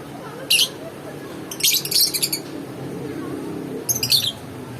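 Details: Lovebird uttering a single sharp chirp, then a stuttering run of scratchy notes and a final shrill double call, with a soft murmur in the background.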